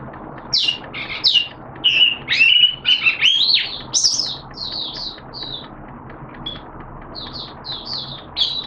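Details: Oriental white-eye kept as a hobby bird, opening song recorded 11 September 2022 in wet, erratic weather; separated high chirps and slurred whistles, then softer short notes spaced out toward the end.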